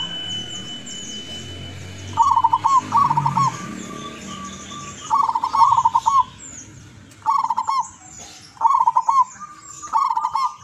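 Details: Tuban, East Java, Indonesia: an eager-singing wild local zebra dove used as a decoy gives repeated rolling, trilled coo phrases in irregular bursts, with a faint high tone and soft chirps behind.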